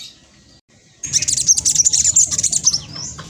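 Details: Fast, high twittering chatter from a speckled black sunbird kept as a lure bird, a dense trill of sharp notes lasting about two seconds after a quiet start.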